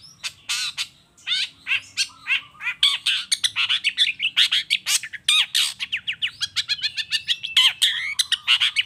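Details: Long-tailed shrike in vigorous song, played as a lure to provoke other shrikes into answering: a fast, dense stream of harsh chattering notes mixed with sharp whistled slurs and rising sweeps, continuous throughout.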